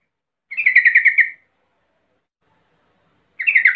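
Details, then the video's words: Yellow-vented bulbul lure call meant to make other bulbuls answer noisily: a rapid, chattering burst of about ten notes lasting roughly a second, then a second burst begins near the end, with silence between. "10 macam suara panggilan trucukan gacor PALING AMPUH BIKIN LANGSUNG NYAUT RIBUT trucuk lain"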